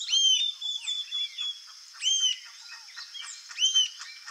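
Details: High, clear, arched notes from a rufous-tailed jacamar, three strong ones in quick succession mixed with faint thin twitters, against a continuous high-pitched droning background.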